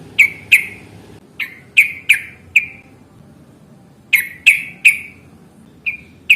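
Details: Yellow-vented bulbul, fighting 'ropel' lure song to coax answering calls: spaced bursts of short bright chirps in groups of two to four, separated by brief silences.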